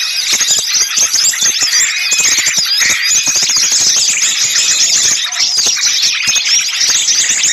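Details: Raucous small birds chattering together, used as a lure for trapping: a continuous high, scratchy din of overlapping chirps and whistles with frequent sharp clicks.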